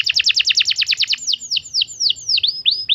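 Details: Lure song of a young canary (kenari paud): a rapid string of buzzy notes, about ten per second, slowing into separate clear swooping whistles roughly three per second.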